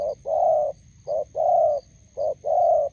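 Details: Roadside encounter of a spotted dove decoy with a wild bird in Gia Lai, Vietnam; three loud close pairs of coos, a brief clipped note each time leading into a sustained hollow one.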